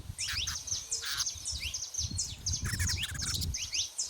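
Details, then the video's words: Many wild saffron finches singing together in nature: a dense, continuous tangle of high, rapid, rising chirps with almost no gaps, over a constant low background rumble. "show dos canário da terra livre na natureza"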